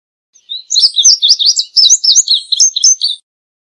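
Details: Indigo bunting song: a clear, high, rapid string of sweet chirped phrases, many paired slurred notes tumbling up and down over about two and a half seconds, clean with no background noise.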